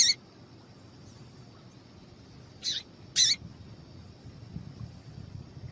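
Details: A female Double-collared Seedeater gives three short, high, scratchy calling chirps, one at the start and a close pair near the middle, over a faint steady high whine. This is a call used to stimulate males to sing.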